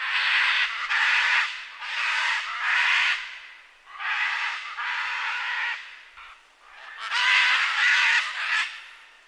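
A scarlet macaw gives loud, harsh, grating screams in long rasping bursts, about six over nine seconds, with brief gaps between them.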